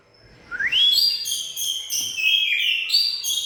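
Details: Song of an Oriental magpie-robin: a sharply rising whistle opens into continuous rich, warbled phrases, with steady loud melodic notes throughout.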